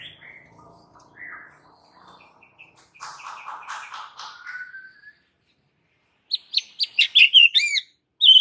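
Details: Aggressive white-rumped shama singing a fighting master song: soft scattered whistles and a buzzy warble with a drawn-out rising note, a pause, then a loud burst of rapid chips and looping whistles.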